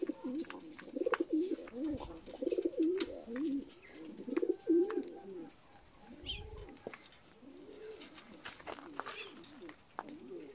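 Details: Several juvenile peahens, young female Indian peafowl, calling together in dense overlapping low arched hoots, loud at first and then thinning out, with a brief thump midway.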